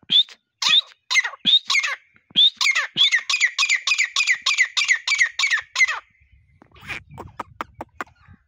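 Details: Partridge call used by hunters as a lure: a long series of loud, harsh, rhythmic repeated notes, followed by faint clicking and rustling noise near the end.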